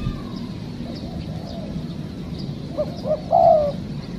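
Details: A spotted dove's single coo phrase comes near the end, recorded while trapping wild doves: two brief hooting notes and then a longer, wavering coo, over constant low background hum.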